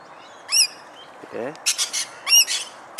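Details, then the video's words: Australian rainbow lorikeets calling while feeding: two loud, sharp, harmonic squeals about two seconds apart, separated by rapid harsh screechy bursts and a brief lower buzzy note, over quiet background hiss. "Birds Feeding Sound Australian Rainbow Lorikeet PERICO AUSTRALIANO ARCO IRIS"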